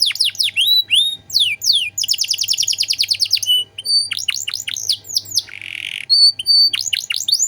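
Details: Canary in full continuous song with a rich 'cengkok mewah' style, played as a tutor recording for untrained songbirds: high sweeping whistles, rapid rattling trills and buzzy bursts, varied phrases following each other without pause.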